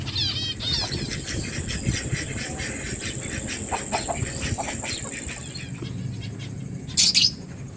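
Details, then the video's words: Lovebirds eating food and chirping, 31 July 2024: quick frequency-sweeping chirps at the start, then a run of short clicky notes, a loud harsh squawk near the end, with constant low rumble and a steady high whine. "Lovebirds chirping sounds birds eating food"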